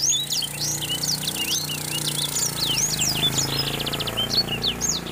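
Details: A captive male grey singing finch (Crithagra leucopygia) pours out a fast, lively courtship song of high, sweet chirps and slurred whistles with a brief rapid trill, over a low steady hum.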